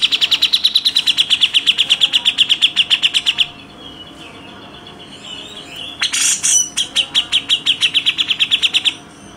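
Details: Rapid 'tembakan rapat' sequence from a grey-cheeked bulbul used to train contest birds: a dense run of bright high chirps for three seconds, a quieter gap, a brief harsh burst, then another fast chirp series.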